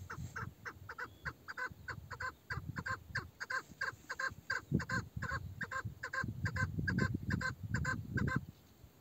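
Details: Elderly female chukar partridge, the meri, with a male-like voice, calls in a steady stream of rapid, nasal, hoarse notes, about two or three each second, against soft low-pitched rumbling.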